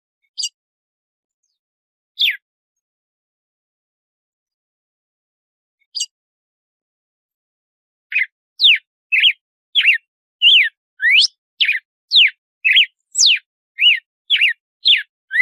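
Red-cowled cardinal: a few sparse high notes, then a fast run of clear, sweeping whistled phrases repeated about twice a second, rising and falling.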